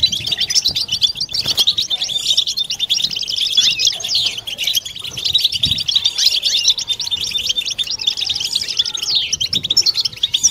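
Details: A group of European goldfinches in full batbata chorus, a mating song for stimulating males and females; unbroken, bright, high-pitched twittering and fast liquid trills layered over one another throughout, with occasional faint clicks.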